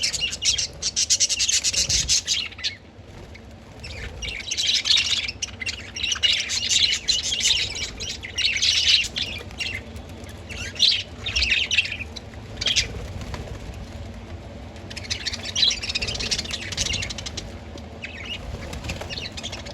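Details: Budgerigars (Melopsittacus undulatus) chatter in bursts of rapid, scratchy, high-pitched chirps and warbles, nearly nonstop; birds described as happy.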